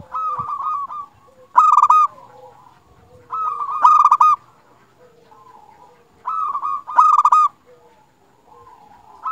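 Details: Local Indonesian zebra dove, a lively singer, recorded as a lure to make other zebra doves sing: loud bursts of rapid, stuttering, rolling coo notes every two to three seconds, linked by soft, lower humming tones.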